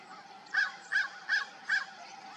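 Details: Crows calling at dawn: four short, harsh, hoarse caws given in quick succession about 0.4 seconds apart, over a steady low background hiss.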